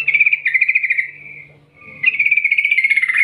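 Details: Yellow-vented bulbul's long 'ngerol ngetir' rolling call, recorded to coax other bulbuls into singing. Two long strings of quick, evenly rattled bright notes, with a fading tail between them.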